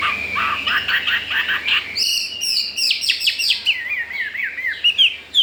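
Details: Captive Chinese hwamei, newly arrived and wanting to breed, sings rapid repeated chopped notes. Louder high whistles and buzzy phrases come next, ending in bouncing, wavering warbles.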